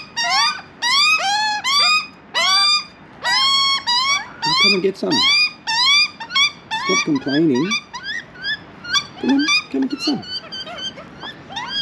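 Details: Juvenile Australian magpie in Australia, a young bird still refusing food from the hand, giving loud harmonic rising squeals in rapid series, later mixed with rougher cries and a person's voice at intervals.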